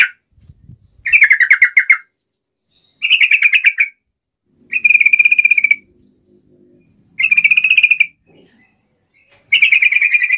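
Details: Yellow-vented bulbul in vigorous voice, played as a lure to call a rival and make it answer at once: five separate bursts of harsh, buzzy, rapidly pulsed chatter, each about a second long, with short silent gaps between.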